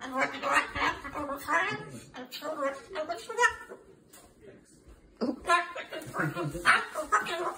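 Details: Excited male pet umbrella cockatoo telling his owner a daily "story", extra worked up because family visitors were in town: a fast, speech-like stream of rising and falling squawks and chuckles, pausing briefly before another burst.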